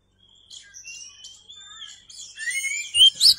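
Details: Oriental magpie-robin singing as a tutor recording for training cagebirds: thin, drawn-out high whistles, some slurred and rising, then a denser burst of loud, sharp upswept notes in the final second.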